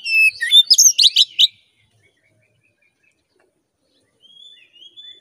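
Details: Oriental magpie-robin lure song meant to stir aggression quickly. One loud phrase of thin whistles and rapid slurred notes lasting about a second and a half, then silence and a few faint high whistles.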